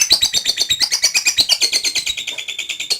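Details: Lovebird giving its ngekek, a long unbroken chatter, delivered steadily: a dense run of fast, high, scratchy squeaky notes, about three per second, with no pause for the whole three seconds and no other clear sounds.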